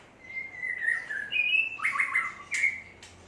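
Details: White-rumped shama from Aceh, a bird now becoming rare there, singing a short varied phrase of clear whistled notes, some sliding and some rapid warbled, with a few sharp high chips toward the end.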